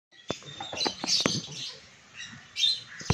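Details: Lutino peach-faced (rosy-faced) lovebird (Agapornis roseicollis) giving shrill, squeaky chirps in short bursts, mixed with sharp clicks and rattling taps.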